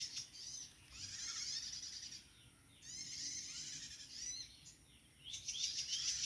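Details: Wild prinia, known locally as prenjak tamu, in a natural setting where many still live: three bursts of high, buzzy, rapidly trilled chattering, each lasting about a second, separated by short pauses over faint background noise.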